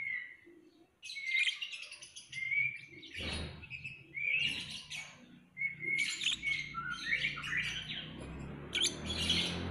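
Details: Lovebird delivering squeaky whistled slurs and high rasping chatter in repeated bursts, with a low rumbling background noise in the second half.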